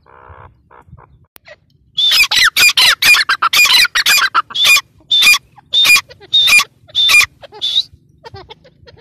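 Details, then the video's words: Partridge calling: after a few soft notes, a loud rapid series of harsh, ringing, squeaky notes repeated roughly twice a second, tapering into fainter scattered notes. "Teetar ki boli | teetar ki awaaz | dakhni teetar ki awaz"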